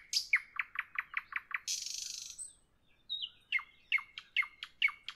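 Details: Nightingale song in the evening: a fast series of about seven identical sharp chipping notes, a harsh buzzy rattle, then a loud run of evenly repeated clicking notes.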